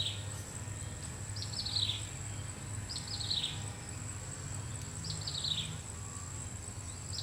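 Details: Common flameback woodpecker calling while searching for food: three quick rattling series of notes, each sliding downward, spaced roughly 1.5 seconds apart. A constant shrill background tone and a deep rumble are also present.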